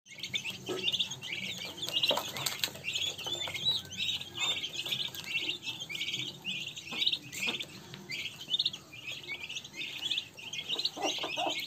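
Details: A group of turkey poults peeping constantly, with high, thin, slightly downslurred peeps overlapping several times a second and a faint background rustle.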